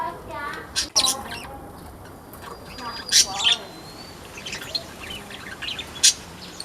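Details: Weaver newly added to a mini aviary, 27 October 2024: sharp high chirps scattered through, with a thin drawn-out whistle in the middle and low human voices at the start.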